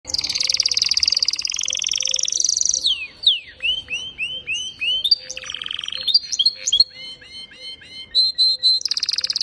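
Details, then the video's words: Male canary singing while forcing the female to mate: a dense buzzy high trill, then a series of looping whistled notes and short chirps with pauses, ending with another fast buzzy trill; faint low hum in the background. "Le canari mâle #canary force la femelle à s'accoupler"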